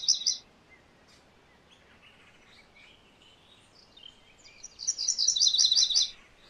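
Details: MacGillivray's warbler giving two bursts of rapid, high, chattering song notes, one brief at the start and a longer run near the end, separated by soft scattered whistles and chips from other birds.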